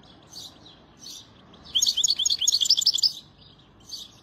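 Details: European goldfinch singing a fast, jingling burst of twittered notes near the middle, with a few softer separate chirps at the start and end.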